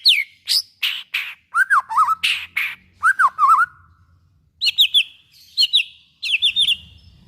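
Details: White-rumped shama song to provoke other shamas into singing: harsh raspy bursts and warbled twisting phrases, followed by repeated trios of sharp downslurred whistles, with a faint low hum.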